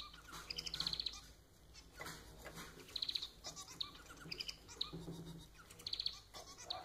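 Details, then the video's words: Domestic society finch (manon) singing repeated nasal, buzzy pulse trains, about six phrases in seven seconds, with clicks and a steady high electrical whine in the background. "Vídeo para fazer seu MANON cantar muito!"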